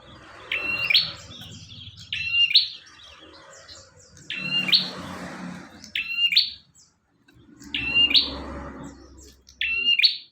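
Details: Bar-winged prinia in full song, kept as master material for songbird training: six loud buzzy phrases, each a flat trill with a rising flourish, repeated at an uneven pace over a low background rumble.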